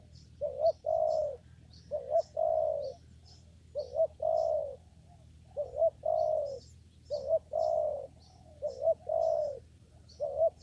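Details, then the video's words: Spotted dove cooing in a papaya garden during trapping with a lure: low, soft two-part coos, a short clipped note then a longer falling one, repeated steadily across the clip, with faint high chirps from other birds. "mikat burung tekukur di kebun pepaya"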